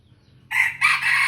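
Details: Red junglefowl, one of three young decoy males. After near silence, a sudden loud, raspy crow begins in two harsh, strained bursts and is cut off mid-call.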